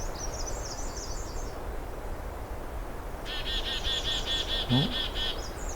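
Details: Black-capped chickadee (Poecile atricapillus) on a wet, rarely hiked riverside trail on a June afternoon in 2022 scolds a hiker with a fast run of about eight harsh, buzzy dee notes, after a thin trill from another bird, over steady background hiss.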